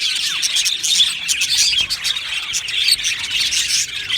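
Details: Colony of budgerigars in an aviary, many birds chirping at once: a dense, continuous wash of high twittering and short warbled notes, with a few brief squawks rising out of the chatter.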